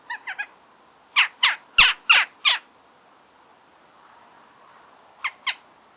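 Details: Eurasian jackdaw (Corvus monedula) recorded in nature: short, sharp, harsh 'tchak' notes given in a quick run of five, then a pause and a final pair, over a quiet background.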